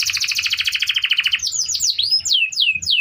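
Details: Canary singing as a tutor for other birds, a fast rolling trill of rapidly repeated notes followed by several looping, downward-curving whistles.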